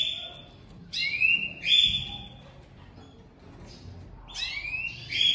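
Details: Domestic canary pair, newly joined for 2023 breeding, hen crouching for the male; two short bursts of rising chirps and a flat high whistle, separated by a quiet pause of about two seconds.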